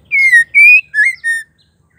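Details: Female white-rumped shama giving its call meant to make male shamas sing and grow aggressive, four loud pure whistles in a row, falling, level, rising, then flat, each about a quarter second long.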